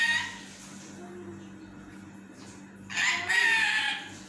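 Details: Pet parrot talking sleepily before a nap: a short opening utterance, a long near-silent stretch, then a loud raspy harmonic phrase near the end.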